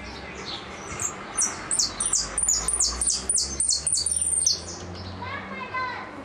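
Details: Goldfinch repique song: a dense run of high, descending slurred notes repeated rapidly for about three seconds, then a fainter, quivering trill, over low background noise.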